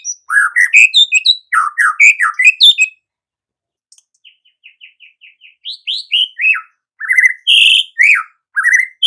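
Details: White-rumped shama singing hard: a burst of downward-swooping, buzzy phrases, a quiet gap, a soft run of short ticking notes, then strong falling whistles and a high, harsh note.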